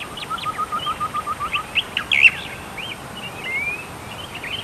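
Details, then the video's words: Tektekreyod, a bird described as little known, gives a rapid run of about ten low, even ticking notes, then a jumble of higher chirps and twisting whistles, over a faint steady background hiss. "suara burung tektekreyod"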